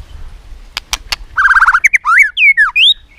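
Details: Competitive song of a white-rumped shama, used to stir other shamas to sing: three loud clicks, then a buzzy rattling phrase and a string of swooping whistled notes.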